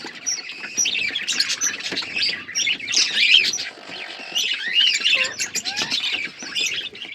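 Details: Colony of budgerigars with growing chicks, kept as pets: dense, overlapping chatter of high warbling chirps and squawks, continuous throughout with short pauses, many birds calling at once.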